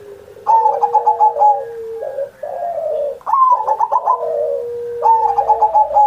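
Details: Pet zebra dove singing gacor, a master song for training young or quiet perkutut, recorded on Indonesia's 79th Independence Day. Rapid clipped coo notes give way to longer falling coos, repeated twice, over a faint steady hum.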